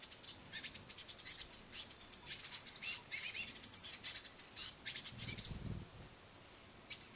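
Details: Young great tits on a window sill begging noisily while their mother feeds them crushed madeleines; dense, shrill high-pitched chattering in rapid overlapping bursts, easing off near the end and briefly resuming.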